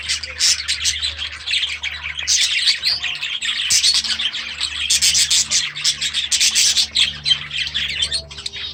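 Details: Grown-up baby budgerigars released into a new aviary, a group keeping up loud, dense, high-pitched chattering and chirping in irregular bursts, over a faint low steady hum.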